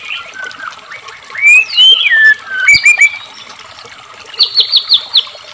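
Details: White-rumped shama song intended to prompt captive shamas to sing, with trickling water behind: quiet gliding whistles, a few loud swooping notes, then a quick series of five sharp repeated notes.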